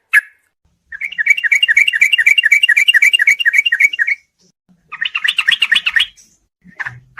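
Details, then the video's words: Yellow-vented bulbul in a combined training recording for night therapy so songbirds become fighters: a sustained run of rapid, evenly repeated chirping notes for about three seconds, then a shorter rougher burst and a few scattered notes. "kombinasi masteran burung trucuk buat terapi di malam hari supaya fighter"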